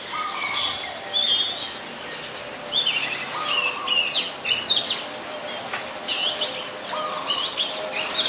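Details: Song of a wild Oriental magpie-robin recorded 27 December 2020 in Ubon Ratchathani, Thailand: varied run of whistles, slurred sweeps and short chirps, with some lower steady whistled notes repeating, against soft outdoor noise.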